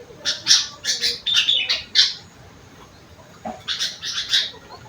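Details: Sooty-headed bulbul (kutilang) with rengganis and cucak wilis song fill: rapid run of sharp, scratchy chirps for two seconds, a quiet gap, then another short chirping series.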